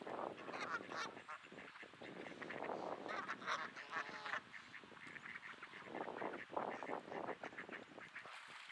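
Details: Several grumpy geese honking at Sainte-Adèle, Quebec, Canada, on an overcast May evening in 2022, 15°C: a steady, crowded stream of rough, nasal honks, many birds calling over each other with barely a pause.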